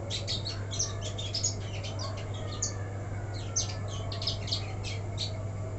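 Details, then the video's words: Black-throated canary left uncovered at night in light drizzle, active, sings a fast, high twittering run of short chirps and trills without pause, over a steady low electrical hum. "Lupa ga di krodong blackthroat bahan jadi begini"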